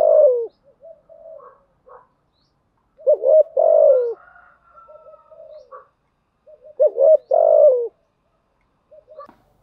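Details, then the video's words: Spotted dove calling, a female lure recording for stimulating decoy birds, with prompting and calling coo types: low, mellow cooing phrases in three groups about three seconds apart, each a quick stutter leading to a longer descending coo. "Tiếng chim cu gáy mồi giọng lôi cuốn hấp dẫn đủ bài[ THÚC GÙ , GÁY GỌI ]"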